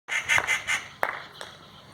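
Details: A treepie, known in its village as shukulain, calling: four quick harsh, nasal honking notes in a row, followed by two sharp clicks, then quiet.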